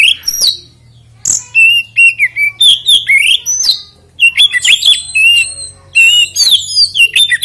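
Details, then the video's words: Lure song of an oriental magpie-robin (kacer) in 'ngeplay' style, played to provoke others to join in: dense, continuous run of whistled rising and falling notes, sharp clicks and high chirps, scarcely pausing, with a low hum beneath. "PANCINGAN KACER NGEPLAY ANTI NGRIWIK DIJAMIN KACER LAIN IKUT GACOR"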